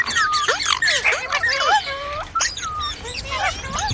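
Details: Ringneck parrot singing: level whistled tones and sharp downward-swooping notes alternate quickly, mixed with clicks and brief squawks.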